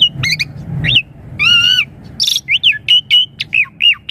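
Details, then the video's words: Asian pied starling song intended to get young birds answering: quick chirps, a long nasal harmonic-rich note, a harsh buzzy burst, then a string of short whistled notes dropping in pitch. "Suara Jalak Suren Untuk Pancingan Burung Jalak Suren Muda Agar Cepat Nyaut Gacor Full Isian Mewah"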